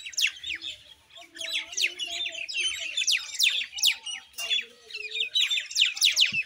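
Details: Common Indian myna chatter of fast, high chirps and sweeping squeaks in uneven bursts, over softer low warbling notes and a throaty croak at the very end.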